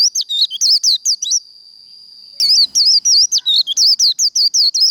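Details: Fighting-style líu song from a Japanese white-eye, meant to fire up birds: quick looping high whistles, a one-second break carrying a thin steady tone, then the rapid notes resume.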